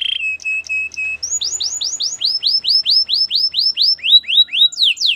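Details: White canary: a few short clipped notes, then an extended string of rising-then-falling whistled sweeps repeated about twice a second, dropping in pitch toward the end.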